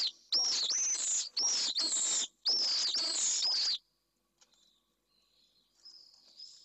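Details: At a nest box in Jerez de la Frontera, Spain, in 2023, pallid swifts give harsh, buzzy screams in three long bursts over four seconds, then faint high twittering, as a nesting male, its first egg just laid, fights off an unpaired intruder.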